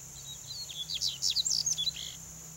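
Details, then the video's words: Male double-collared seedeater singing: a rapid, high twittering burst of sharp chirps and short buzzy slurred notes lasting about a second, over a steady high hiss and a low background hum. "CANTO do COLEIRINHO macho"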